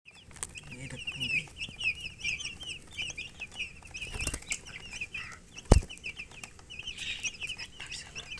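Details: Colored chickens with a hen chirping: a dense run of high, rapid peeping chirps that overlap continuously, with low background rumble, a few handling knocks and one sharp click partway through.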